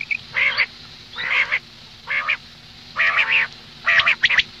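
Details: Morning calls of a female common quail: five harsh, nasal squawks, each about half a second long, spaced roughly one second apart against a quiet background.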